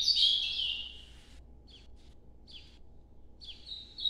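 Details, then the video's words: Ultramarine grosbeak song in the northeastern nocturnal style: a loud warbled phrase opens, then brief high whistled notes spaced by pauses, ending with a steadier whistled note, with steady low hum beneath. "Canto Nordeste Azulão Noturno"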